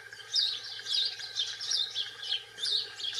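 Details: European goldfinch singing in the wild: a rapid, high twittering of tinkling, liquid notes in bursts, with a faint steady low hum beneath.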